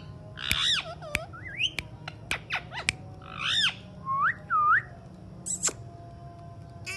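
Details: Alexandrine parakeet talking: harsh, buzzy bursts mixed with short bent whistles and clicks, ending in a pair of clear rising whistled notes, with a low hum in the background.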